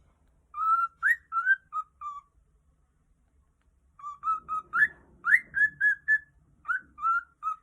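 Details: A happy cockatiel, recorded 16 June 2020, gives a run of clear whistled notes, some rising sharply, in two quick bursts.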